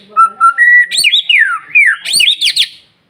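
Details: Morning song of a white-rumped shama played to get other birds singing: two soft low whistles, a held higher whistle, then bright descending and zigzag fluty phrases.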